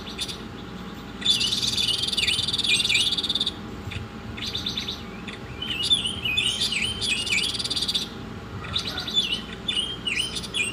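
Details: Song of an Oriental magpie-robin for masteran use: a long harsh buzzing trill studded with downward-swooping whistles, a pause, then crisp chirps and fast ringing slurred phrases, background hum throughout.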